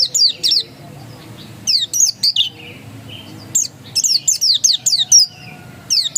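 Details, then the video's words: Pleci dakun, an oriental white-eye, delivering persistent 'ngotot' song: sharp, piercing descending chirps in short clusters separated by brief gaps, in a quiet background. "Suara Ngotot Pleci dakun"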